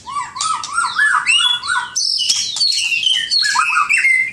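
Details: Pet white-rumped shama (murai batu) singing a master song: a rapid series of rising whistled slurs, then higher ringing notes and descending chirps in a continuous varied stream.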